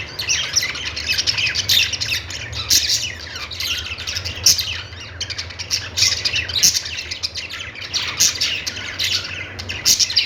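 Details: Busy budgie chorus: dense, overlapping high twitters, squawks and warbled phrases from several birds running on without break, over a soft low hum.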